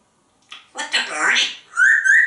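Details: Male pet African grey parrot indoors, talking with his owner and imitating a rooster: speaks a short, human-like phrase, then gives two clear, rising whistles.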